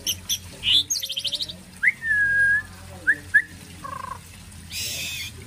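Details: Shama song with mimicked phrases resembling a kapas tembak: short chips, a long clear whistled note, two quick upslurred whistles and a buzzy burst near the end, with background hum.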